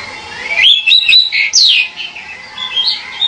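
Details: Pied bushchat giving rapid rising whistles and squeaky slurred notes in a lively phrase, followed by softer scattered whistles over a faint hum.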